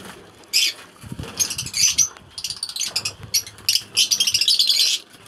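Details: Lovebirds of different mutations (green fischer, albino, blue fischer, green opaline) kept together in a colony aviary; bursts of shrill high chattering and screeching from several birds, with faint rustling between.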